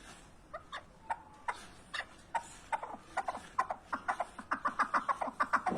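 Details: Partridge giving a rapid series of short, harsh chuckling notes, about two per second, building in loudness and speeding up toward the end.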